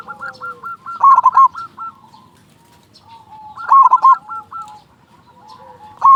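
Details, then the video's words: Lure song of a loud local zebra dove, meant to get other doves singing quickly: rolling, quavering coo phrases return every two and a half seconds, three in all, over faint cooing in the background. "Perkutut lokal gacor suara besar pancingan burung perkutut agar cepat bunyi"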